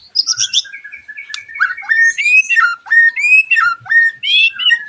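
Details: White-rumped shama song used as a lure to make other shamas sing along: varied whistled phrases mixing clear rising notes, buzzy trills and sharp chirps, delivered rapidly with short pauses, overlapping notes suggesting a layered recording.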